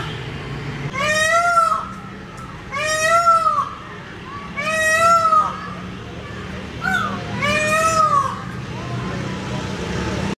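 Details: Indian peafowl (peacock) giving four loud, wailing, harmonic-rich calls, each under a second long and repeated roughly every two seconds, over a low steady background hum.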